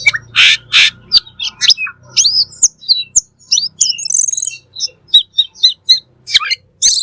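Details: Full, lively song of a cucak keling, or black magpie, from a bird-training recording: two raspy notes open, followed by varied high whistles, upslurs and chips, with a brief trilling rattle in the middle.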